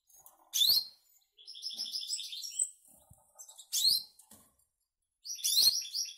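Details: Caged goldfinch and canary hybrid in the Canary Islands: bursts of high, rapid twittering and buzzy trilled phrases, separated by short silences, with a few soft clicks in between.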